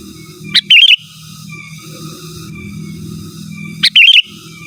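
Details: Sooty-headed bulbul in lively, persistent song without mixed-in mimicry, used to call rivals and as a training master: two bright, bubbling whistled phrases a few seconds apart, each opening with a sharp note, over a low steady hum.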